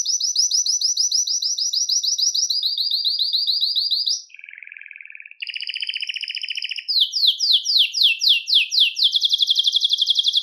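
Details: Belgian canary singing to stimulate males and bring females into breeding condition: fast high trills of repeated notes, one tour shifting lower, then a low buzzy rattle and rapid down-slurred notes ending in a steady trill.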